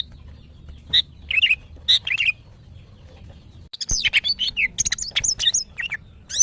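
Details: Caged female greater green leafbird in breeding condition calling males: sparse sharp whistled chirps, then after a brief gap a dense busy run of high squeaky, wavering notes, over low hum.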